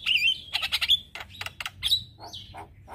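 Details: Brief morning phrase from a male Javan myna, used as lure and tutor song for starlings: a sharp trilled whistle, then pulsed chatter, more high whistles, and soft scratchy notes.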